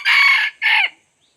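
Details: Two-part tail of a red junglefowl crow heard during decoy luring of wild junglefowl: a long rough sustained note, a brief gap, then a shorter note that drops away at the end.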